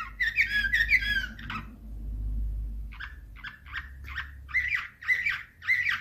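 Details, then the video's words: Slavujar-style canary song from 2024. A rich, fast warble opens, then a soft low rumble follows. After that come spaced chirps, which build into repeated bubbling trills. "Uccello dell'usignolo delle Canarie Slavujar"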